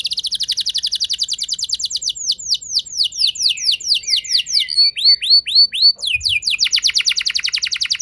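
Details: Canary singing a 'ngeroll' rolling lure song meant to make other canaries sing: quick high trill, then a run of loud descending whistled slurs repeated about twice per second, ending in a fast rolling trill.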